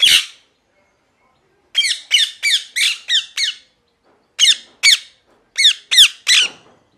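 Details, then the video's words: Parrot chirping in bursts: a lone harsh note, then runs of five to six rapid raspy chirps, repeated in irregular groups roughly three per second. "Parrot Chirping Sounds | Natural ParrotSounds | Parrot Calling Sounds"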